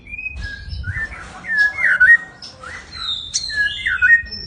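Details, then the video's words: White-rumped shama, a large caged songbird, singing clear whistled phrases that rise and fall, delivered in short bursts roughly every two seconds with brief pauses between notes. "Riwik.an murai batu big jumbo"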